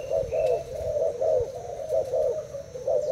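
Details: Thai spotted dove, caged for two days, answering a decoy with deep soft coos in short bursts, slightly uneven in rhythm, over faint low noise.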